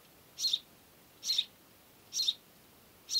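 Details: A house sparrow chirps steadily. Emphatic two-part chips come roughly every 0.85 seconds, four in a row, with clean silence between them.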